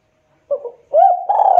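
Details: Spotted dove coo played as a lure for other doves: two soft short notes, then a rising hooked coo and the beginning of a loud sustained coo, cut off abruptly.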